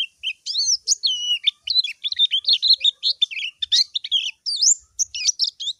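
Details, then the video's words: High-pitched white-eye calling to a rival, a dense, nonstop stream of twittering notes with looping whistled slides and sharp upward flicks packed closely together. "PLECI MANGGIL LAWAN"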